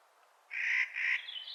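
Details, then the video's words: Clark's nutcracker in spring gives two harsh, rasping, nasal calls in quick succession, followed by a thin, higher twittering from another bird. "Clark's Nutcracker Calling in Spring"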